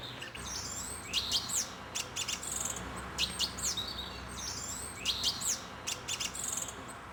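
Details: Spring song of a Song Thrush, noted for being harmonious and varied: loud, clear whistled and twittering phrases with quick rising and falling sweeps, each phrase group repeated about every two seconds, with faint background hiss.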